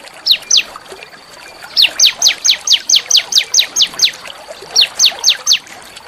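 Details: Small songbird giving a rough but melodious training song for white-rumped shamas and magpie-robins; two short notes, then a long even series of sharp high downward sweeps, a brief gap, and a final short burst.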